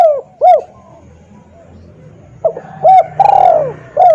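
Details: Clear, loud spotted dove lure call used to draw wild doves. Two arched coos open, then a pause over a soft low hum, then a burst of coos ending in a long, descending drawn-out note.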